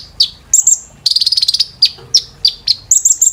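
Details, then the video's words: Brown-throated sunbird, called kolibri ninja, in training audio for caged birds: scattered high downslurred whistles and sharp chips around a fast stuttering trill, ending in a string of very high notes. "KOLIBRI NINJA TERAPI GACOR"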